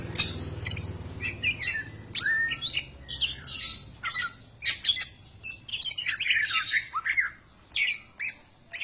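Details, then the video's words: Greater green leafbird song to encourage other birds to sing: bursts of high chatter and whistles with brief pauses, a low hum early on. "PANCINGAN SUARA BURUNG CAK IJO BAHAN AGAR CEPAT GACOR"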